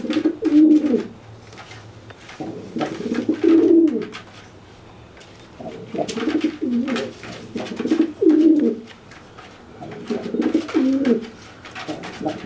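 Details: Indoors, a dry pigeon coos at a wet one left flightless by bathing, enlarging itself as a threat; five deep, rolling coo phrases spread over twelve seconds with tapping in between.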